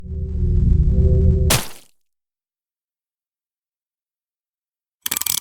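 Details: A burst of low, humming music ends in a sharp crash, followed by silence and a brief noisy clatter at the end.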